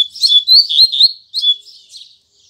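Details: Morning song of a double-collared seedeater, tui tui zel zel style: loud clear whistled notes sliding up and down, then a short pause and a weaker trailing buzzy phrase fading to quiet.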